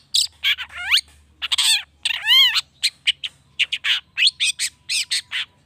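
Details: Long-tailed shrike known locally as cendet, recorded to excite other shrikes into singing back: a rapid, varied medley of rising whistled sweeps, buzzy chatters and squeaky notes packed closely together.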